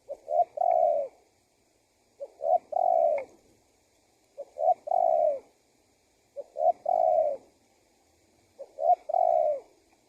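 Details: Spotted dove calling, a recording used to lure wild doves and make them answer: low soft coos in phrases of two short notes then a longer drawn-out coo, repeated about every two seconds, five phrases, in quiet surroundings.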